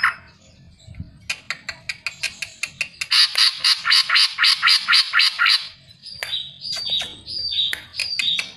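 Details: Greater green leafbird song serving as a lure for other birds to sing along, built from evenly spaced sharp ticking notes that speed into a loud buzzy rattling run, then scattered high whistled chips.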